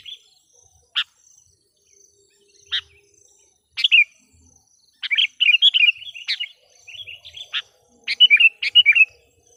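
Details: Sooty-headed bulbul used as a lure for wild birds; scattered single sharp notes at first, then a denser stretch of jumbled bubbly chirping phrases.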